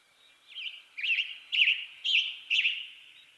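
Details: Burry, robin-like phrasing from a western tanager: five hoarse slurred notes delivered at a steady pace of about two per second, then a trailing pause.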